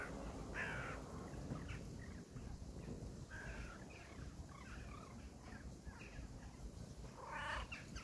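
A crow gives a few harsh, hoarse caws spaced several seconds apart, with a steady low rumble of background noise throughout.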